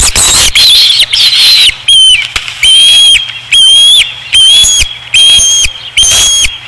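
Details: Osprey at its nest at Dunrovin Ranch on 5 August 2016: after a loud rushing, flapping noise, a series of piercing, clear whistled calls repeats at a steady pace, each note slightly rising then falling.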